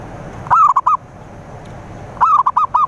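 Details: Zebra dove singing, used as a lure for rivals: two phrases, each a drawn-out rising coo followed by three clipped, arched notes, separated by a short quiet gap.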